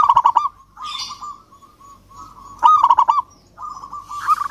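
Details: Local zebra dove calling a rival with bursts of rapid, vibrating coos. Drawn-out, wavering coo notes come between the bursts, and a faint brief hiss is heard twice.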